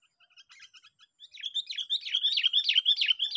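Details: Sooty-headed bulbul heard while being lured for trapping in a park, day six. Soft scattered chips build into a loud, steady stream of quick, bouncing chirped notes, about three per second rising in intensity.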